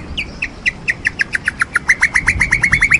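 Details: White-rumped shama, a champion bird, giving a fast series of short, clear repeated notes, about four per second, speeding up and becoming more even toward the end.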